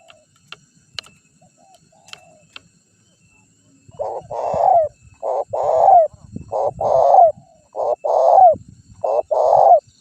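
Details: Lure call of a zebra dove for drawing in wild birds: after a few faint clicks and knocks, six or so burry rolling coo phrases follow one another roughly every second, with low rustling underneath.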